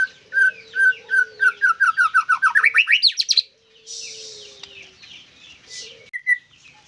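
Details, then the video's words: Caged white-rumped shama delivering a steady series of repeated whistled notes that accelerates into a rising, rushing trill, followed by quieter hiss and a couple of sharp calls. "MURAI BATU GACORRR FULL DURASI"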